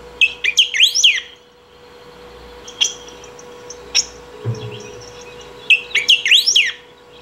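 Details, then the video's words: Saffron finch singing for calling or training: a fast phrase of looping swept notes, a pause with sparse sharp chips, then another swooping phrase, with a continuous low hum throughout. "El Picahueso Cantando / Bico De Pimenta Ou Batuqueiro Cantando"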